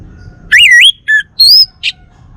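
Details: Male Bali orange-headed thrush kept at home in North Bali, Singaraja, producing a brief loud phrase of a swooping whistled note, a short lower note, a high sustained whistle and a final harsh chip.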